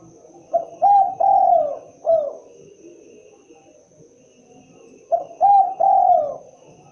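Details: Spotted dove repeating its cooing phrase twice, short note, double coo, long slurred coo and a falling final coo, the phrases about four and a half seconds apart, with a faint hum throughout.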